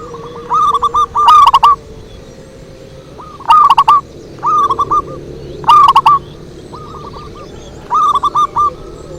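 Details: Perkutut song used as a lure. Rhythmic cooing phrases of five or six rolling notes recur roughly every two seconds. Loud near phrases alternate with softer distant ones over a steady low background hum.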